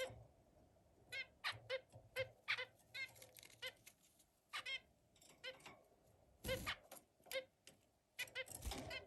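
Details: Zebra finch song indoors: rapid series of short, nasal, buzzy notes in groups of two to four, with a pause after a few seconds, then louder broadband bursts and more notes.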